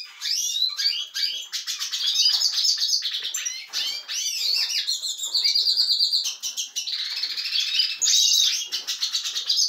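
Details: Lively captive European goldfinch in a canary-breeding setup pours out nearly ten seconds of continuous song: rapid chattering twitters, nasal buzzes and repeated trilled, whistled segments.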